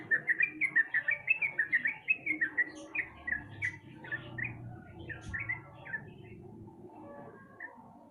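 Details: Sooty-headed bulbul, recorded as a lure to get a reluctant bird singing: a fast string of clear chirps that later becomes softer, scattered notes, with a low rumbling background.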